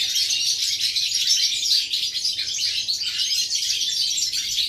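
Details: European goldfinch song from 11 September 2018: fast, liquid twitters and thin whistled notes packed closely together in a bright, steady stream.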